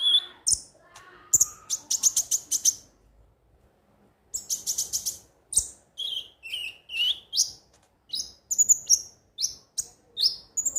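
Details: Konin, the ruby-cheeked sunbird, in a lure recording: rapid buzzy rattles of high notes, a short pause, then varied chirps and sliding whistles repeated in quick succession.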